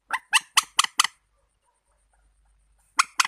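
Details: Warbler producing a quick series of five harsh nasal chips, then silence, then two more notes.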